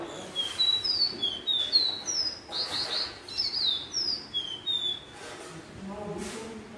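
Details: Caged caboclinho of the pé de serra type, also called serrano or Santa Maria, singing at its owner's metalworks workplace: a run of clear, high whistled notes, each a short slurred glide, some rising and some falling, given in quick succession with faint background hum.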